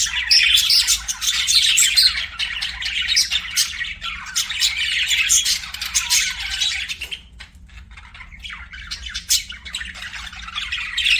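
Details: Budgies chattering steadily, a busy stream of harsh, raspy chirps and twittering notes that thins out around the middle before picking back up; low electrical hum faintly present.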